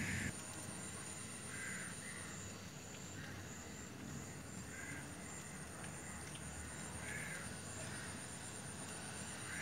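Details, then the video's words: Little egrets chasing each other, perhaps unwilling to share food, give short harsh croaking calls several times over ten seconds, faint against a steady high-pitched insect drone and background hiss. "The little egret sound(Egretta garzetta)/ chasing each other, may be does not want to share food."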